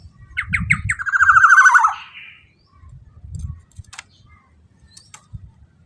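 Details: Black-naped oriole used as a lure to get other orioles singing and excited: four short clipped notes, then a drawn-out, buzzy, nasal run that slides downward. A fainter harsh note follows, with low thumps and scattered ticks in the background.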